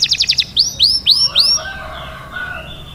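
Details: Canary mating song fragment: four quick sharp notes followed by several upward-curving whistles, then a soft fading warble.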